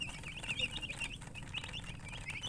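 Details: Chickens described as colour chickens, many chirping at once: rapid overlapping high, thin peeps with short rising and falling slurs, sounding nearly continuously over a steady low hum.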